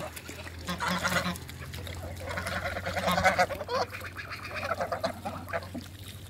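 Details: Toulouse geese playing in water in a backyard; nasal, honking calls come in several bursts of rough, stacked notes, rising and falling in loudness, over a steady low hum and splashing.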